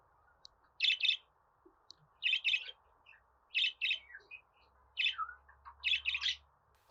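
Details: Budgerigar chirping for young or newly arrived pet budgerigars; bright paired chirps repeat about every one and a half seconds, with soft lower twitters between them over a steady low hum.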